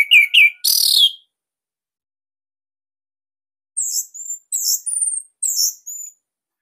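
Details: Orange-headed thrush from Bali, captive, song used as a master recording to coax other birds into singing: a short burst of whistled and buzzy notes, a long pause, then a phrase of high, clipped whistles and chirps.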